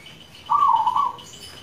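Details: A single rolling, trilled coo from a local zebra dove lasting under a second, mid-pitched and fairly even, against a quiet background; the song is played to lure caged doves into singing.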